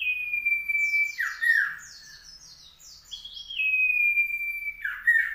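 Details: A common iora in South Malang, recorded in mid-June 2020, sings a long, level, pure whistle, then a burst of fast, high chirping notes, then another drawn-out whistle dropping into a slurred phrase.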